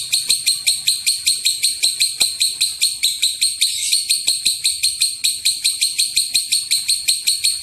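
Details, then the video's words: Lovebird in long 'ngekek panjang' chattering, used to provoke other lovebirds into calling: a steady stream of rasping, shrill pulses, roughly two and a half per second, continuing without pause, over quiet low rumble and a few clicks. "Pancingan suara lovebird ngekek panjang"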